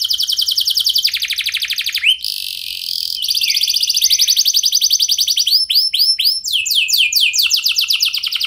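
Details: Canary in strong song, used as a lure so that other canaries respond: loud, fast rattling trills of rapid repeated high notes, shifting between pitches, with a steady buzzy section and rising sweeps.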